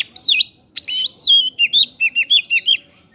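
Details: White-rumped shama song with prinjak fill to provoke other birds; a swooping whistle followed by a rapid string of about ten short looping whistled notes, loud and clear.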